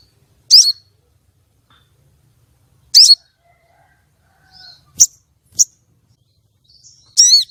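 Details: Female common iora lure calling meant to stir male contest birds: harsh, buzzy high chirps spaced a few seconds apart, mixed with short sharp ticks and faint thin whistles.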